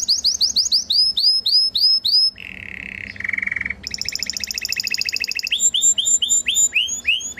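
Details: Song of a Belgian canary: repeated sweeping notes, a low buzzy held section, then a very fast high trill followed by further rhythmic down-slurred notes, loud against faint background hum.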